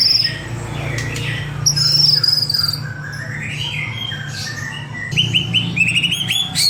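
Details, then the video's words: White-rumped shama song played as a lure for other birds: varied whistles, a drawn-out descending note, rising slurred phrases and a quick burst of repeated notes near the end, with a constant low hum beneath. "PANCINGAN MURAI BATU - BAHAN PALING MUDAH DIRESPON"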